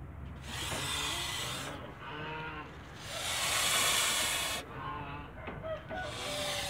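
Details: Male goose protecting its family in a backyard, giving loud breathy hisses broken by short nasal honks with harsh harmonics, the hissing bursts lasting a second or more.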